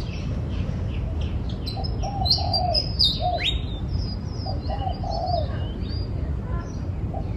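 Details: Spotted dove cooing outdoors: two low, soft multi-note coo phrases about three seconds apart, mixed with many high, sharp chirps and sweeping whistles from other small birds over a steady low rumble.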